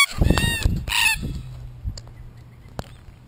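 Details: Wild red-tailed black cockatoos in Australia, a group exploring and damaging a camera: a burst of loud, harsh, ringing calls over the first second, mixed with heavy knocks and thumps close to the microphone, then quieter rustling and a sharp tap.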